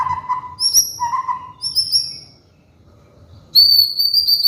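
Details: White-rumped shama (murai batu), a kept songbird, singing trigger song used as a master for molting birds: low whistled notes near the bottom of its range alternating with high thin whistles, a pause, then a long high whistled trill.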